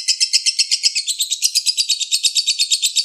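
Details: Tutor recording of a Balibu lovebird singing in dense, long rapid-fire bursts: fast, high, buzzy chirps rising slightly in intensity, pulsing roughly eight to nine times per second without pause.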